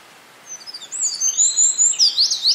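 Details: A Eurasian wren at Hinohara Tomin no Mori, Hinohara Village, Tokyo, on 5 June 2011 sings a loud, very high, rapid outpouring of sharp notes and fast trills that builds in energy over two seconds; faint background hiss.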